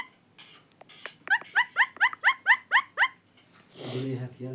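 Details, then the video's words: Pet parrot vocalizing: about nine short, evenly spaced chirps descending in pitch, repeated rapidly. A rougher, lower noisy sound follows. "parrot talking video"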